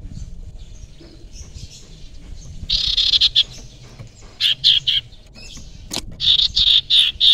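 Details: Young wild common iora used as a lure bird. After a quiet start, bright high chirping notes come in short dense bursts. They grow louder in the second half, with a few sharp clicks between them.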